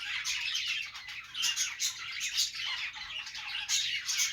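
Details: Happy budgerigar chatter: busy, high chirps and short squeaky notes overlap in an unbroken warble, with louder bursts around the middle and near the end.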